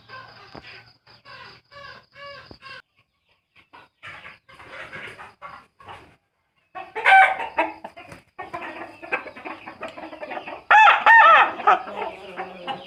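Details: Several roosters crowing in a horn-like style, each voice distinct: quieter clucking and short calls with brief pauses, then two loud, strained, harsh crows, the second the longest and strongest.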